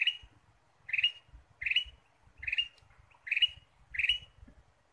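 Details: Ruby-throated bulbul sounds used as a lure: six short, bright, rising chirps repeated about every three-quarters of a second over a steady low rumbling noise.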